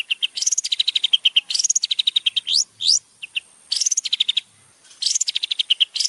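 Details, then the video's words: Champion Long-tailed shrike song recorded for training: rapid chattering phrases that start high and step down into quick repeated notes, punctuated by two sharp rising sweeps and short silent gaps. "masteran cendet juara"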